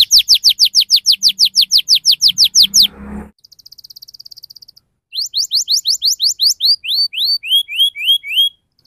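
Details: Tutor song from a canary in lively 'ngerol' style for young canaries: a fast tour of sharp falling whistles, a softer buzzing trill, then rising and upslurred whistled notes.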